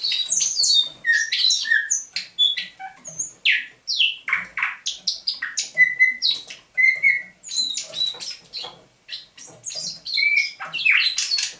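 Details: On a November 2021 dawn a caged thrush nightingale, caught near Saint Petersburg in May 2019, pours out varied song: bursts of dry clicks and ticks alternate with clear downward whistles and short level tones over about twelve seconds.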